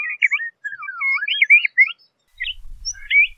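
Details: LeConte's thrasher (Toxostoma lecontei) sings a run of varied whistled and slurred phrases, rising and falling quickly, with brief pauses; faint low rumble near the end.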